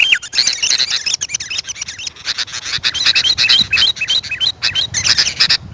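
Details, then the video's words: Sooty-headed bulbul call played to attract wild birds. A slurred descending whistle opens a rapid, busy stream of clicking chatter and short wavering whistled notes. "Suara Burung kutilang untuk pemanggil Burung liar."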